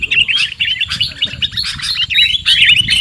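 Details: Short sooty-headed bulbul lure call for trapping birds: choppy bursts of chirps and slurred notes over a steady low hum.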